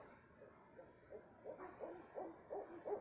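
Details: Owl calling at 2:30 am in south central Texas: a rapid run of short, mid-pitched hooting notes, about three each second, growing louder and more distinct toward the end, against a quiet night background.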